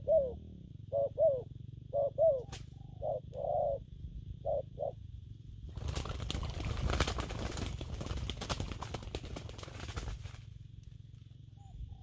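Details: Spotted dove whose coos are called gù phóng, kèm and gù lăn săn: several soft paired hoots in the first five seconds, then drowned by loud rustling and crackling noise before quiet returns.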